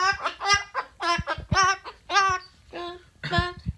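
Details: Pet umbrella cockatoo singing the words "good bird" indoors: a series of harmonic, voice-like syllables with rising and falling inflection, about seven phrases, in a small room.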